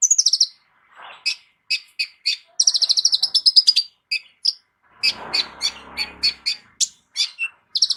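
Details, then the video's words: Kolibri ninja, a sunbird with a complete, lavish fill song used as a vocal teacher for other birds; rapid stuttered rattles and regularly spaced sharp ringing notes, with a soft scratchy noise in the middle. "KOLIBRI NINJA MEWAH ISIAN LENGKAP COCOK JADI GURU VOKAL UNTUK BURUNG JAGOAN KALIAN"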